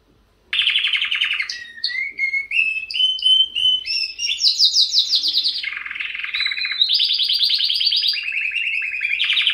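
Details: Canary singing a varied sequence: a low rattling trill, a row of short whistled notes, then high buzzy rolls alternating with lower trilled passages.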